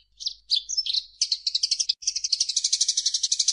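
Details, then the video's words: Eurasian tree sparrow song offered as a master recording for training songbirds: a few high chirps, then fast, dense chattering trills of short notes, roughly four per second, ending in a continuous buzzy rattle; no other sounds. "SUARA BURUNG - Masteran Terbaik Gereja"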